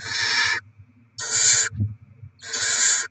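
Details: Barn owl nest with rodents being delivered and young fed, 7 February 2024: three loud, breathy, hoarse hisses, each over half a second long, spaced roughly a second apart, with faint background knocking.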